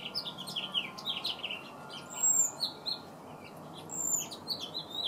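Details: A male house finch singing to a female: a lively, jumbled warble of quick twittering and slurred notes with bright high whistles, in two bursts over a quiet background.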